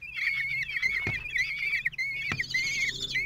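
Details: Shrill, drawn-out squeals from four 16-day-old common kestrel chicks as the male feeds them at a Théding nest on 26 June 2023; calls run nearly continuously, with two sharp knocks from movement in the nest.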